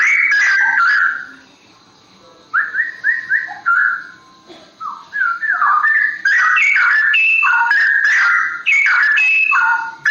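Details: Straw-headed bulbul of the forest in its rolling ropel song: loud, mellow whistled notes in quick rising runs, then a long, continuous bubbling warble of tumbling, liquid phrases with brief gaps.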